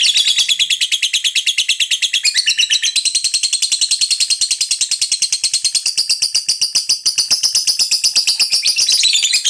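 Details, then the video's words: Regular contest-winning competition bird singing a dense, unbroken stream of very high, rapid, rattling and trilling notes, fast and relentless throughout, with no pauses and no other sounds. "Burung menantuku langganan juara"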